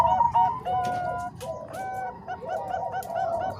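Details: Mixed Bangkok and Cemani Kolbuntet zebra dove voices, combined as a master recording for training other doves: rapid, bubbling coos and rolling phrases overlapping from several birds, over a steady low hum.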